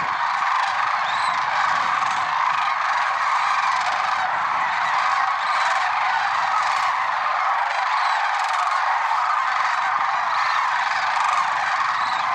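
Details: Massed lesser sandhill cranes calling at dawn on February 6, 2023 at Merced National Wildlife Refuge; countless rolling, bugling calls blend into a constant roar lasting the whole stretch.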